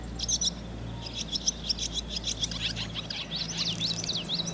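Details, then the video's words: Nestling barn swallows above a milking parlour doorway, recorded with a Sony DV camera on a rainy day, give quick high chirps in bursts, then thin rising-and-falling squeaks, over a low background drone. "Barn Swallow chicks in milking parlor"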